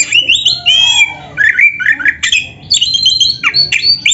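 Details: Oriental magpie-robin from Indonesia singing in a dense filled style: loud slurred whistles, a harsh buzzy note and tumbling varied phrases pour out without a break, ending in high clear whistled notes.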